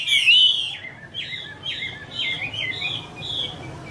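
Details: Female Chinese hwamei in a cage, a male singing behind her: a bright whistled opening then a series of short looping, rising-and-falling phrases about every half second, softer toward the end.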